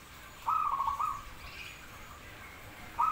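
A zebra dove gives a soft, rapid run of stuttering coos, a little under a second long, then starts another as the clip ends. Faint background hiss.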